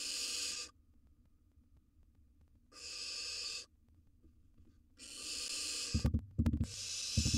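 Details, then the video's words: In a monitored nest box, a wild barn owl nestling feeding on a gerbil utters three drawn-out breathy hisses, and the last is broken by knocking and scuffling sounds near the end. "Barn Owl Nestling Devours A Gerbil"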